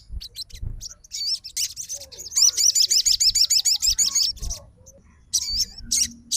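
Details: Aroused fighter sogon responding to another sogon's singing: a few scattered high notes give way to a long, rapid, evenly pulsed string of shrill twisting notes, then a pause and further phrases.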